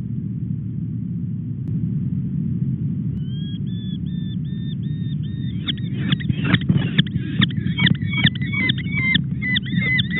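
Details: Young sooty falcon (Falco concolor) eyas on the Red Sea coast of Arabia at 06:04 on 20 September, out of sight but still fed breakfast: thin, even squealing begging notes breaking into fast, harsh chattering calls over a steady low wind rumble.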